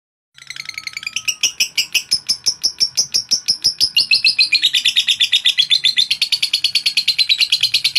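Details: Lovebird singing to provoke rival birds: after a brief silence, rapid chattering chirps begin, high and repeated several times a second, building into a dense continuous trill that slowly drops in pitch.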